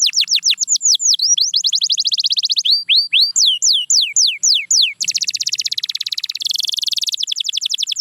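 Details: Canary song for sound therapy to bring back singing: repeated descending whistled sweeps in rapid series, followed by fast buzzy rattling trills at two speeds.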